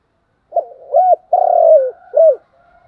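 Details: Spotted dove cooing continuously in the style locally called thúc gù: a short low coo, a swelling note, a long sustained mellow coo, then a final falling coo, packed into about two seconds against a quiet background.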